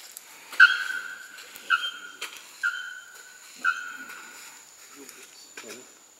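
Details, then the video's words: A young male Bare-throated Bellbird sings at Porto Seguro, Bahia, north-east Brazil, in November 2012, giving four loud, ringing metallic notes, each held briefly at a steady pitch and repeated about once a second, with faint clicks between. "Bare-throated Bellbird - Araponga - Procnias nudicollis"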